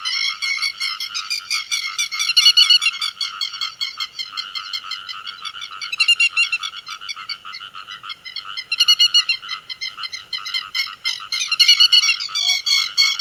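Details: Dense chorus of grey-headed lapwings calling the flock, a lure sound for netting: steady rapid harsh chattering, about four notes a second, swelling into louder bursts every few seconds.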